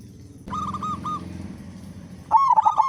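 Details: Local zebra dove with a big voice, singing vigorously as a lure to get other doves calling quickly: a short run of level cooing notes, a quiet gap, then a louder bubbling, wavering coo at the end over a low rumble.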